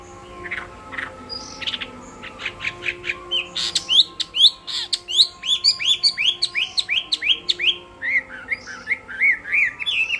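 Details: Contest song of a Chinese hwamei, opening with scattered clicks and chips, then speeding into a long, rapid series of loud, upward-sweeping whistled notes that soften into lower slurred phrases near the close.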